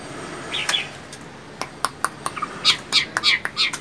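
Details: Caged Chinese hwamei giving a quick run of short, sharp chirped notes, about three per second, after a few scattered clicks and taps.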